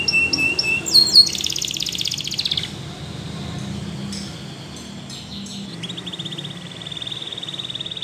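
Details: Belgian canary song opening with a few sharp high notes, then a dense buzzy roll lasting over a second, fading to quieter scattered notes before a steady, soft trill resumes near the end.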